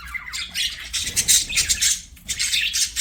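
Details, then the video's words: Budgies singing as they play make a loud, continuous raspy chatter of squawks and buzzy chirps, with a short quieter dip before the noisy warbling resumes. "BUDGIES SINGING PLAYING"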